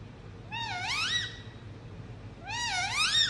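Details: Two long, swooping, meow-like chirps from an Indian ringneck parrot kept as a pet, each sliding down then climbing steeply with strong overtones, separated by a short pause, steady low hum behind.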